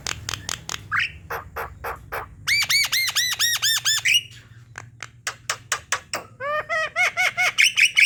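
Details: Javan myna song played to prompt idle birds to sing: sharp clicks and squawks mixed with runs of arched, ringing notes repeated several times a second, the phrases separated by brief pauses.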